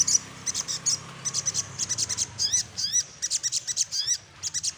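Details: Little spiderhunter song while seeking a rival, a long series of rapid high sharp notes mixed with upswept whistled slurs, repeated steadily throughout.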